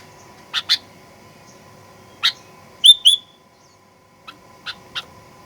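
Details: Sooty-headed bulbul lure song in fighter style for provoking aggressive singing: scattered raspy chirps in pairs, with one brief clear whistled pair in the middle, against a quiet background hum.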